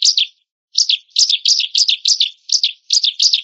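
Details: Remarkable song of a white-rumped shama: repeated swooping whistled notes, each dipping downward, delivered about three per second after one brief pause, with no other sounds.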